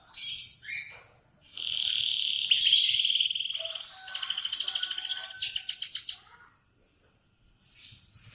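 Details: Canary singing in the morning: long rolling trills and sustained whistled tours around high pitch, a buzzy rapid-pulse section, then bright chirpy notes, in clear bursts with short pauses.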